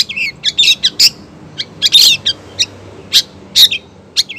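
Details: Female long-tailed shrike calling the male: a busy string of scratchy chatters, twisting whistles and harsh bursts, loud and steady throughout, with low hum in the background.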